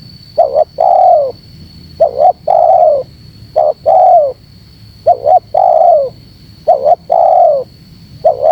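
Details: Spotted dove call used to provoke wild doves: a short doubled coo followed by a longer, falling, drawn-out coo. The phrase repeats about every two seconds over a steady high electronic whine.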